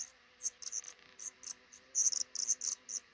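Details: Black redstart pair's nest with five hatching chicks, built in a roof nook above a house's front door; dense bursts of shrill, very high chirps, some overlapping, grow busier toward the end over a soft low hum.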